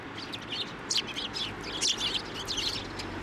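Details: Several sparrows at a Tenmangu shrine on 9 December 2023, flying onto a hand to take food; lively bursts of high, squeaky chirps close together, with a faint hum behind.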